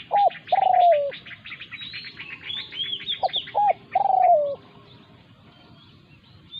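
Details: Decoy spotted dove facing a wild resident dove defending its territory, Thailand. Two coo phrases, each short double notes then a long falling croon. Rapid high chirping and whistles from other birds run between them.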